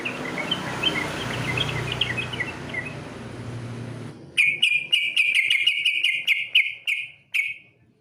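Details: Sooty-headed bulbul competition-style song used as training material. Faint scattered chirps over hiss give way to loud, rapid chattering notes near the same pitch, repeated several times a second with sharp clicks, then a short final burst.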